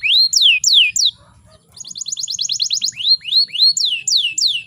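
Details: Canary hen in breeding condition, meant to trigger male song: loud sliding whistles, a short pause, a quick even trill of high notes, then further rising and falling whistled phrases.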